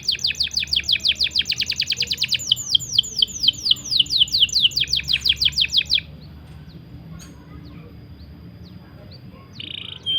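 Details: Training song of a canary, 'ngerol panjang' long-roll style for stalled or young canaries: six seconds of very fast, high, rattling trill that slows into separate sweeping notes, then near silence and a brief final chirp.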